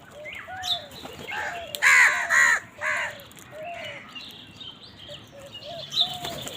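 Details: Crows fighting for food give harsh, hoarse caws, two loud ones close together midway among scattered softer calls, while thin high chirps of small birds sound in the background.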